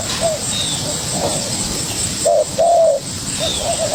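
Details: Young spotted dove answering a decoy bird, a few low cooing notes in the second half, two longer coos close together, over a steady background hiss.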